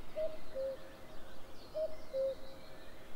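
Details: A common cuckoo gives two clear falling 'cu-coo' calls about a second and a half apart, each a higher note then a lower one, over low background rumble; 11 May 2022, around 07:06.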